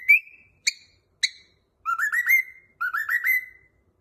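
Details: Cockatiel learning to whistle Jingle Bells: three short sharp chirps, then two bursts of quick reedy whistled notes, each climbing in pitch toward a held final tone.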